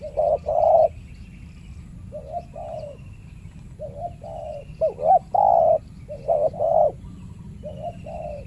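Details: Spotted dove, a fierce male holding a banana plantation, answers a trapper's decoy dove with grouped soft coos, a quick double note followed by a longer hollow one, repeated after short pauses.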